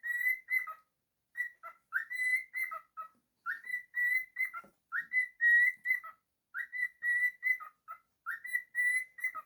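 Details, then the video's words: A domestic cockatiel sings continuously. Bright whistled phrases with strong overtones follow one another: rising starts, level held notes and short falling tails. One brief low knock is heard. "Cockatiel singing"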